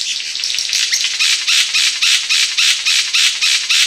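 King of Saxony bird-of-paradise giving a steady run of harsh, hissing, static-like bursts, about three or four each second, high-pitched and dry.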